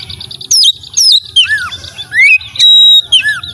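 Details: White-rumped shama singing sweetly: several separate whistled notes sliding downward, a lower rising slur, then a long steady high whistle and a final drooping note.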